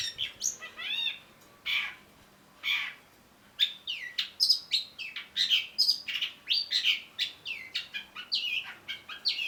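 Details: Long-tailed shrike song from a caged bird kept for song training: a whistled arc, harsh buzzy bursts, then a dense rapid run of varied sharp chirps and high whistled notes, mimic-like and continuous.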